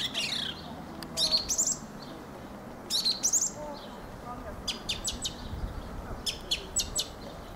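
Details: Song of a Fieldfare (Turdus pilaris): scratchy, high chattering phrases alternating with clusters of quick clicking ticks, over faint background noise.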